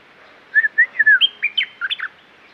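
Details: Caged red-whiskered bulbul singing a lively phrase of short whistled notes that bounce up and down, about nine quick notes in under two seconds, clear and loud in a quiet setting.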